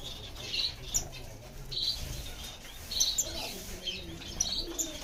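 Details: Diamond firetail calls, high and drawn out, repeated irregularly about every second, mixed with wing flapping and faint background hum.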